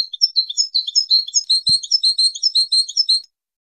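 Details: Training song of a goldfinch meant to stimulate breeding: a dense stream of high, liquid twittering and chirping notes, rapidly alternating pitches, lasting about three seconds, with a single soft click midway.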